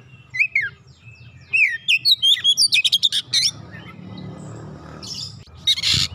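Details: Lure song of Oriental magpie-robin meant to make a silent bird sing: two brief whistled notes, then a long varied phrase of slurred whistles and quick repeated chips. Low background noise follows, ending in a harsh rasping note.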